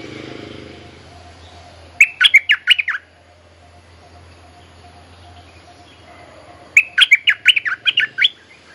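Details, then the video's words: Mate-calling bulbul song, played as a lure for training young birds: quick runs of sharp, warbling chirps in bursts about one second long, separated by a gap of about four seconds; low faint hum in the background. "เสียงนกดอกแตงEp.186 เพลงเรียกคู่ หัดลูกเสอ Suara pikat merbah lekir gacor"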